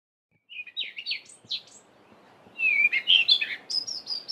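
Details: Cape robin-chat in a garden at dawn in mid-winter July, singing: a few quick separate whistled chirps, a brief pause, then a richer run of rising and falling warbled whistles ending in high thin notes.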